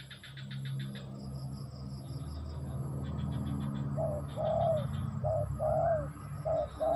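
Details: Spotted dove song starting midway: short low coos followed by a longer drawn coo, repeated. Steady low rumbling background noise and rapid buzzy chirping from another creature come before it.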